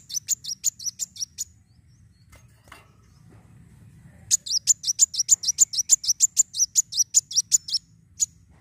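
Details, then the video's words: Van Hasselt's sunbird fighting song for stimulating other birds: a short burst of rapid, high, sharp chirps, a quiet pause of several seconds, then a long fast series of the same piercing notes, about three per second. "Kolibri wulung gacor narung fighter!"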